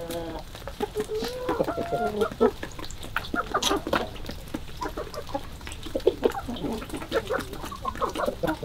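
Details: Chickens on a February 2022 morning, giving a run of clucks and drawn-out, wavering squawks in the first seconds, then scattered shorter clucks over a steady crackling, sizzling background noise.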